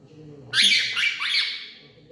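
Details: A pet Indian ringneck (rose-ringed parakeet), apparently angry and yelling at its owner, lets out one harsh, grating screech about a second and a half long with quick rising and falling sweeps, in a quiet room.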